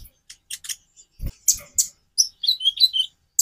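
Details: Kolibri ninja sunbird: scattered high chips and clicks, then a fast twittering run of warbled whistles at the end.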